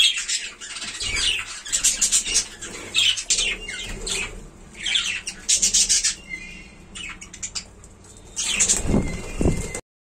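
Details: Kept budgerigars in a colony keep up continuous busy chatter: overlapping high scratchy chirps, squawks and brief whistled notes, with a short pause before a final noisy burst and some rustling.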